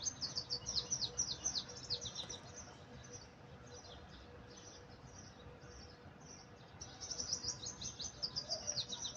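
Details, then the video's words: Birds chirping: quick bursts of thin, high twittering notes at the start and again near the end, separated by a quieter stretch of soft background hiss. "Birds Chirping زقزقةُ ألعصافيرِ"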